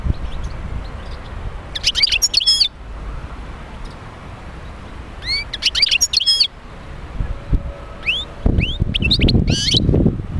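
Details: Goldfinch song used to encourage other goldfinches to sing: three clusters of quick twittering and rising whistled notes spaced several seconds apart, with low rumbling noise growing louder near the end.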